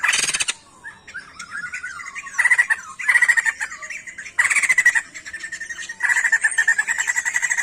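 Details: A songbird called sijambul in Indonesia, singing vigorously: an opening rasping burst, warbling twisting notes, then repeated bursts of harsh rapid rattles ending in a long buzzy pulsed train.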